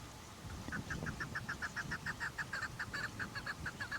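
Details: Chukar partridge uttering a brisk, steady run of clucking chuk notes, roughly three to four per second, clear and continuous throughout.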